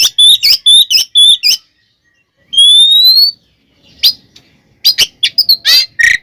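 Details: Oriental magpie-robin singing to provoke other kacer: a repeated whistled motif, a long rising pure whistle after silence, then scattered sharp chips and rattles.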